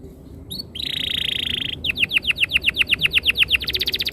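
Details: Canary song used as a master lure to get canaries singing quickly: a brief high note, then a fast buzzy trill held near one pitch, then a series of rapidly repeated descending whistled notes that speed up toward the end.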